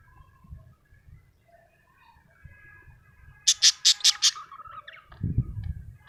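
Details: Happy pet budgerigar: quiet faint whistles, then a sudden burst of five loud, harsh, evenly spaced chirps sliding into a short warble, followed by a low thud.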